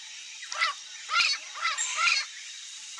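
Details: A free-living Rufous-bellied thrush (Turdus rufiventris) sings four short, mellow whistled phrases in quick succession, about one every half second, over a steady high hiss.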